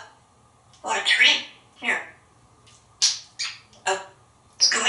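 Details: Male African grey parrot, hatched in 1997 and living in a Texas home, talking from atop his glass castle. Rough, voice-like syllables come in quick clusters, a longer raspy phrase first, then clipped bursts.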